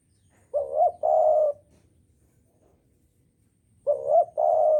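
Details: Javanese spotted dove singing, recorded as a lure for trapping birds: two identical two-part coos, a wavering first note then a sustained mellow one, repeated after roughly three seconds of silence.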